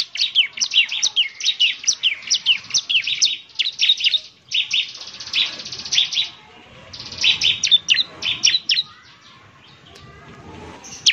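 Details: Bar-winged prinia (ciblek) in semi-active song for luring, pouring out dense, fast, high-pitched chattering chirps and buzzy trills in long runs with brief breaks.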